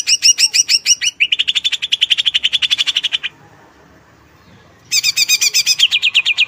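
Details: Greater green leafbird song: harsh, layered notes give way to a steady, rapid trill, a pause of about a second and a half, then the harsh chattering notes resume.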